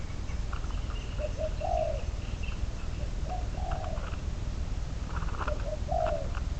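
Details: Spotted dove used as a trapping decoy, bird number 22, cooing at a distance: three soft phrases of short notes ending in a falling coo, under steady rumbling low noise with faint chirps of other birds.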